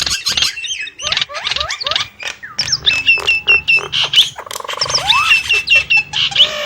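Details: A Nias hill myna mixes gliding whistled notes, raspy bursts and a nasal buzzy call, then rising whistles, in an irregular loud sequence.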